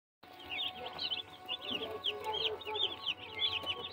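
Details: Baby chicks peeping constantly, high short descending cheeps overlapping in a busy chorus over a steady low hum.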